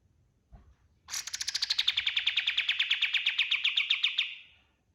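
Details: White-eye singing a master song for training other birds: a rapid, even trill of about forty sharp chipping notes, slowly falling in pitch and fading at the end, after one faint low knock.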